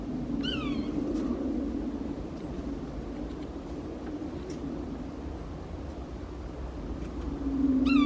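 Two nasal, cat-like mewing calls from a Yellow-bellied Sapsucker, each slurring downward, one near the start and one at the end, over a steady low rumble.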